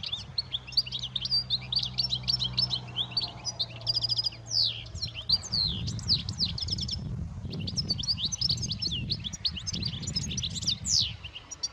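European goldfinch giving rapid, liquid twittering notes and tinkling trills high in pitch, nearly continuous with a brief pause midway; a low hum and rumbling noise underneath.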